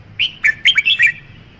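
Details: A red-whiskered bulbul sings one lively phrase of about six liquid, slurred whistles, rising and falling in quick succession, against quiet steady background noise.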